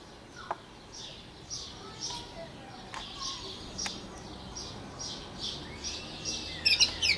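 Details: Pet canary singing indoors: a steady series of soft, high rolling trill notes repeated a few times per second, with occasional sharp clicks and a brief faint voice in the background.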